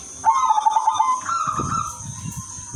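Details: Zebra dove, udanmas silver, in melodious song used to attract other doves: a fast series of pulsed coos, then a smooth slightly higher sustained whistle, with low rustling and a steady thin hiss.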